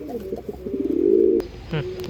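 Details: Andhra line pigeon cooing indoors: a low, throaty, rolling coo that swells to a louder sustained burr, then breaks off, followed by a short softer coo and faint clicks.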